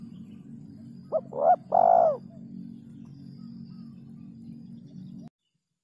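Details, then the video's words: Spotted dove lure call for bird catching: a single phrase of two short rising notes and one longer steady coo, heard over a continuous low hum that cuts off near the end. "SUARA PIKAT BURUNG TEKUKUR SUARA JERNIH"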